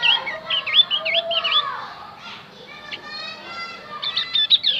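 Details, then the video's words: Javan grey-throated white-eye song for luring wild birds: quick twisting chirps and whistles open the phrase, then a quieter stretch with softer notes, ending in a fresh burst of sharp high chirps. "opior Jawa pasti nyaut pancing dengan Opior Jawa ini"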